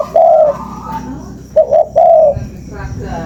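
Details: Spotted dove used as a lure, with a drawn-out low coo, a pause, then a short coo and a longer falling coo, over a faint hum.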